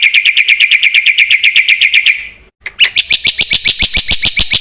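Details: Black-winged myna singing energetically with varied fill-in phrases, kept as a lure and master recording for training. Buzzy harmonic notes repeat about four times a second, then a short pause gives way to a sharper, clicking series of notes.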